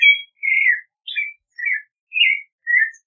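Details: Clay-colored thrush song: six clear, mellow whistled phrases, some drawn out and downslurred, separated by short pauses.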